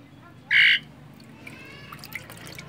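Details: Talkative Asian pied starling chattering while reluctant to bathe: one loud, harsh, buzzy squawk, followed by a few faint short whistled notes over steady background hiss.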